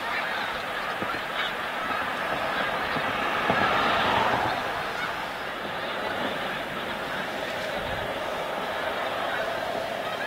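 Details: A vast migrating flock of snow geese at Montmagny, Quebec, fills the air with continuous overlapping honks, swelling in loudness around four seconds, then settling into a steady, crowded chorus of nasal calls.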